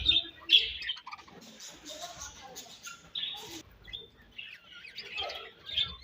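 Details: Budgies feeding while chirping: clear high tweets come in quick, irregular runs, some drawn into short buzzy warbles, over a quiet background.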